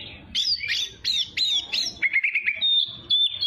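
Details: Young-bird training song of an Oriental magpie-robin: five emphatic falling whistled notes in quick succession, a lower buzzy trill, then a drawn-out clear high whistle, very loud and clean.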